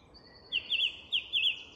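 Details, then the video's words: Song thrush singing at dusk in English woodland: one high, bright, quivering phrase given, then repeated almost identically after a short pause, over faint background hiss. "Recognising Bird Song - The Song Thrush & Dusk Chorus in an English Woodland"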